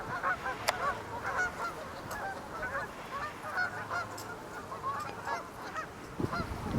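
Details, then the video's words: A large flock of Canada geese stopping at a pond while migrating back north to nesting grounds, with ducks present, gives a dense chorus of honking, overlapping nasal calls from many birds over a low background rumble. "Sounds of Large Group of Canadian Geese and Ducks Migrating Back North"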